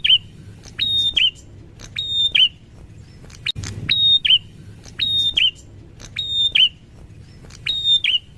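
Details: Wild prinia repeating a bright whistled phrase: a click, a sustained high tone, then a down-curving flourish. There are about seven phrases at irregular spacing, with a soft bump midway and a steady low hum.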